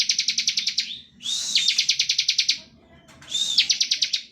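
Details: Bar-winged prinia giving a standard ngebren song meant to make other prinias sing: three fast, rattling trills of sharp, evenly spaced ticks, each introduced by a brief upslurred note, over a soft low hum.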